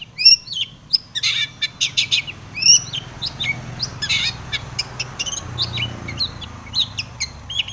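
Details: Long-tailed shrike singing varied fill-in phrases to provoke other shrikes: jumbled harsh rasps, sharp clicks and bright upswept whistles in irregular bursts, busier at the start.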